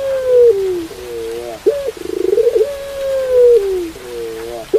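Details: Pelung dove repeating its phrase twice against soft rain: a long sliding coo, a lower echoing coo, a short arched note, then a rapid pulsed trill rising into another extended coo.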